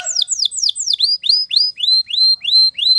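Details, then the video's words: Spanish Timbrado canary training song: a series of clear, descending whistled notes, then evenly repeated upslurred notes about three to four per second, loud and clean with no background sound. "The Best Canary Training Song"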